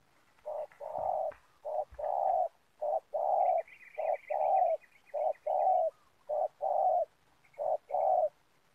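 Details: Spotted dove (tekukur) cooing, used to lure doves for trapping in a community oil palm plantation. Low, mellow coos come in short repeated phrases about every second, and a faint, higher, buzzy chattering series runs briefly in the middle.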